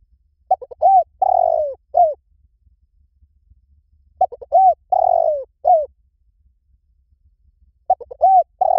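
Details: Spotted dove giving its cooing phrase three times, about every three and a half seconds: brief broken notes, a curved coo, a long vibrating descending coo and a clipped end note, in a quiet setting.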